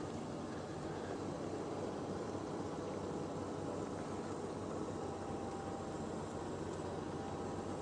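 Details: Only a steady low engine-like rumble is heard, with no animal calls standing out.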